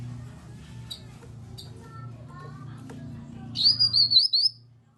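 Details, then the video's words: Grey-cheeked bulbul lure call played to provoke silent kinoi birds into answering and singing. After several seconds of low humming and faint chirps, a loud burst of about six rapid, high, chattering notes, then quiet. "Pancingan Burung Kinoi agar ikut Bunyi Nyaut"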